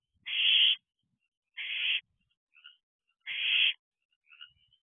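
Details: Barn owl owlets calling together inside a nest box at 11:11 pm, June 11, 2023: three loud rasping hisses roughly every one and a half seconds, with quiet short squeaks between them.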